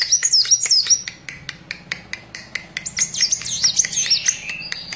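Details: A Van Hasselt's sunbird sings energetically in short, high, looping whistled phrases, with a lower buzzy note near the end, all over a steady patter of sharp clicks.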